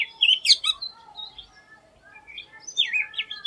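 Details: Oriental magpie-robin (Bengali name doyel) singing an unusual song: sharp high whistled notes and slurred chirps, then a quiet pause and rising-falling whistled phrases near the end.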